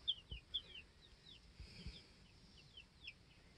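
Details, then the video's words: Baby chickens two weeks old in a coop on a homestead; soft, high downward-sliding peeps come in loose runs of two or three, with low thumps and quiet background. "2 Week Old Baby Chicks Being Baby Chicks"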